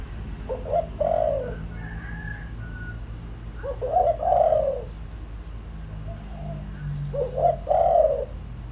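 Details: Spotted dove lure call used to attract wild doves: three soft, low cooing phrases about three seconds apart, each a short hooting lead-in followed by a longer rolling coo, over a steady background hiss.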